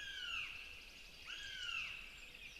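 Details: While their mother feeds them at the nest in Zemgale, Latvia, two Northern goshawk chicks give long, piercing wails that arch and then fall, two in succession, rich with overtones.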